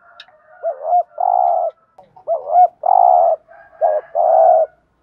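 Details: Urging coo of a spotted dove, used to stimulate other doves to call: three quick phrases of a looping note and then a long buzzy coo, with fainter overlapping cooing behind.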